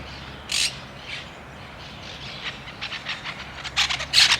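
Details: A southern house wren in central Argentina, a restless bird of bushes and towns: high, scratchy bursts, then a quickening run of rapid chattering notes building toward the end, over a low steady background hum.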